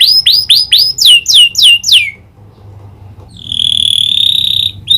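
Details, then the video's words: Canary trained with prinia (prenjak) clicking phrases gives a fast series of sharp descending chips, falls silent for a second, then delivers a long steady high trill. "Burung kenari gacor isian prenjak klik"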